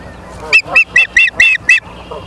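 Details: Osprey at a nest in Charlo, Montana, on 9 September 2023 at 18:51, captured by a live nature cam: six loud, clear, high whistled chirps in quick succession over about 1.5 seconds, each slightly downslurred, with quiet background.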